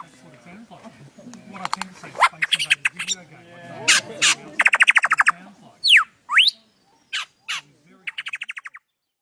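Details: Lyrebird, a native Australian bird that imitates all kinds of sounds around it, giving a varied run of harsh squawks, dry rattling bursts, sharp downward-sweeping notes and rapid clicking trills, with a man speaking briefly at the start.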